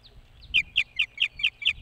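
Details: At a nest on top of a boat house near Hog Island in Maine, an osprey gives two faint notes, then six loud, clipped whistled chirps spaced about a quarter second apart.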